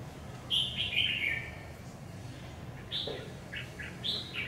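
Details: Red-whiskered bulbul, a newly acquired lure bird being tried out, meeting another bird next door: bright warbled phrases, one rolling chirpy burst, then after a pause a run of quick high notes ending in another warble, over low background hum.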